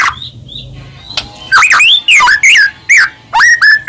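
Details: White-rumped shama (murai batu), a bird described as in full song, used to provoke other shamas into singing; loud whistled notes sweeping up and down, separated by short pauses, after a quiet start.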